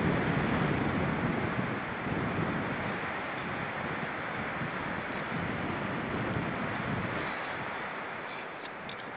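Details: Steady roar of wind and surf-like rushing fills the recording, with no animal calls heard.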